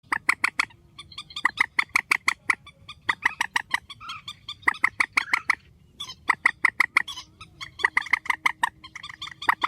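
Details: Grey-headed swamphen, a spliced compilation of strong calls: loud, short nasal notes fired in rapid bursts of four to eight, separated by brief pauses, with fainter chatter between bursts.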